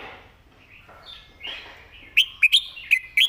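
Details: Red-whiskered bulbul delivering a clearly enunciated master song: faint warbling at first, then four quick, loud whistled notes, each with a sharp click, in the final second.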